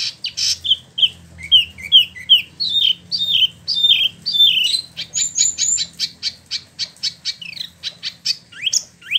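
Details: Spot-throated Babbler kept caged in Bandung, West Java, Indonesia, imported from mainland China and Vietnam, delivering a rolling song of quick downslurred whistles that speed into a dense run of sharp high chips, with a low hum underneath.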